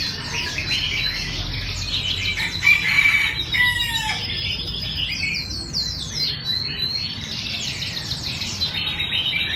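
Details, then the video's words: Red-whiskered bulbuls practising for a singing contest in Vietnam, giving loud sweeping whistled notes and fast descending chirp series that overlap one another, with a constant low hum underneath. "Tập Duyệt Chào Mào Đi Thi"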